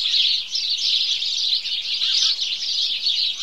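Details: Many house sparrows chirping together in the morning, an energetic overlapping twitter of short high notes, loud and continuous.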